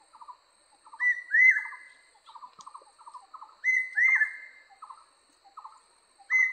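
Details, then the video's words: A barbet repeats a short run of quick, buzzy mid-pitched notes, then a higher clear whistle that rises and hooks, about every two to three seconds. "The great small Barbets sing"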